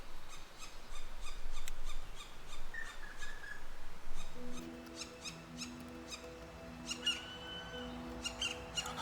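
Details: In a shaded French forest, a fledgling Black Woodpecker near its nest hole calls to its parents to be fed with quick, harsh, repeated notes, several each second; a parent is nearby, and soft music plays underneath.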